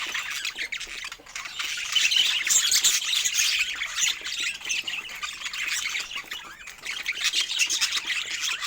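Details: Budgerigars kept as pets, chirping as they enjoy fruit; busy overlapping high chirps and squawky warbles run steadily, growing louder midway.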